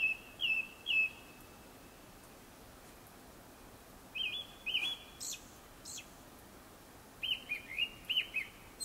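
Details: Japanese thrush singing before sunset: clear, fluting whistled phrases, each a short run of varied notes, delivered in three bursts separated by pauses of a few seconds, over a quiet, steady background hiss.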